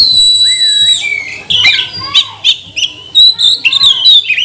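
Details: Lure song of an Oriental magpie-robin, used to stir other birds into singing: a long high whistle with a looping downward slur, followed by spaced sharp chips and short whistled phrases; quiet background hum.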